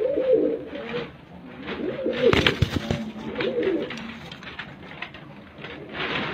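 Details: A pigeon of reportedly the smallest type worldwide gives a series of low, wavering coos, starting strongly at the outset, then repeating amid sharp clicks and knocking sounds.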